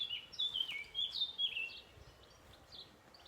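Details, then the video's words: Birds chirping: a quick run of thin, high twittering notes with short slides during the first two seconds, then quiet with one faint chirp near the end; soft background hiss. "bird chirping"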